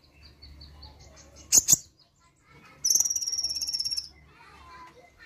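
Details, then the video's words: Sunbird singing as soon as its recording is played: two sharp clicks, then a rapid, high, even trill of about one second, with faint soft chirps in the background. "Sekali Putar Konin Langsung Ikut Nembak"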